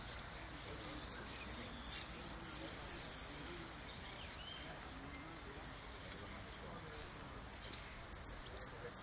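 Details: Second-place repique goldfinch at Merlo, 3 January 2016: a brisk run of high, clipped chips for about three seconds, a long quiet stretch, then a second matching run near the end, with steady low background noise.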